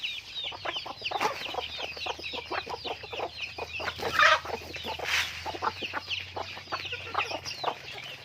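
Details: Farm-raised chickens clucking together, dense overlapping short calls and high peeping notes, with a sharper louder cackle rising briefly near the middle of the stretch.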